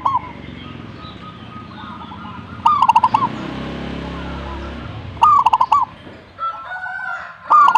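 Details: Repeated bursts of rapid staccato cooing from a zebra dove, spaced a few seconds apart, over a persistent low rumble and hum with a swell of broad noise in the middle.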